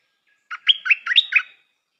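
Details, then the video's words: Decoy Stripe-throated bulbul, newly kept for luring, sings a single short, bright phrase of five or six chopped, liquid notes rising and falling within a second, with nothing else heard. "นกต่อใหม่เปิดดอกน่าฟัง สำนวนดี Suara pikat merbah lekir"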